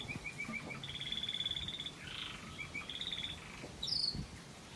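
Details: Red factor canary, variegated, singing waterslager style: a long, even, fast trill running at one pitch, broken by a brief burbling phrase, then more rolled trills and a sharp high note at the end.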